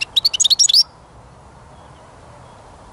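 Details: A European goldfinch heard during songbird trapping gives a short burst of high, tinkling chirps and twitters, under one second, followed by near silence and one faint note at the end.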